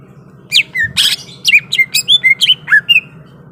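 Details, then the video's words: Greater green leafbird in fighting mood: a harsh chirp, then a rhythmic series of about eight downslurred whistles, roughly three or four per second, over a low background hum. "SUARA BURUNG CUCAK IJO SIAP TARUNG"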